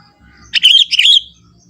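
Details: Young sooty-headed bulbul of the forest sings a rich, flowing phrase of two warbled bursts, bubbly and bright, over a faint low background murmur.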